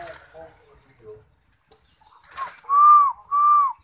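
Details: Spotted dove (derkuku) singing actively: after faint background voices and knocks, two smooth, arched, hollow cooing notes of equal pitch, each about half a second long, follow each other closely.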